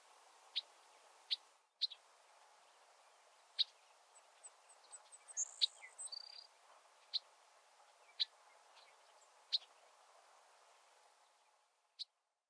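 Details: Female Bobolinks give sharp, metallic single 'chunk' calls every second or two on established territories at Heaven Hill, Essex County, NY, on 15 June 2022, with a brief bubbly tinkling burst midway over a steady low hum.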